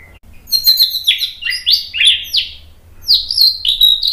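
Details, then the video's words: White-rumped shama song used to provoke other birds into singing: a rapid, varied run of bright whistles, sweeping slurs and sharp chattering notes, phrases tumbling one after another with a brief pause near the middle. "MASTERAN MURAI BATU biar EMOSI NYAUT jadi GACOR BONGKAR MATERI TEMBAKAN ¦ PANCINGAN MURAI"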